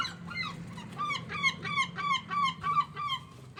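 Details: Seagulls, described as very loud and making strange sounds: about nine harsh, nasal, downslurred calls in quick succession, roughly three per second, rising and falling in loudness over a low steady hum.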